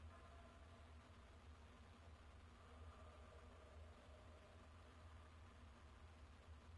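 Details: Quiet, even indoor hum and soft hiss throughout, with no animal voices audible.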